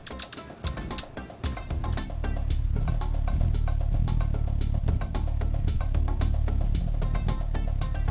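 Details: Rhythmic music with a heavy low-pitched beat and quick, clicking percussion, with no animal voice heard.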